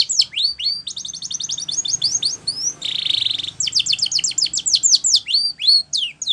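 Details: A Spanish Timbrado canary sings for training: quick falling notes, an even rattling trill, a dense buzzy roll, then fast repeated descending strokes, high-pitched and unbroken.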